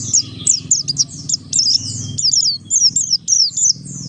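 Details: Oriental white-eye of the Buxtoni form, recorded as a lure to make other white-eyes sing quickly: rapid, high twittering song of many short slurred and down-swept notes, almost continuous, over a steady low hum.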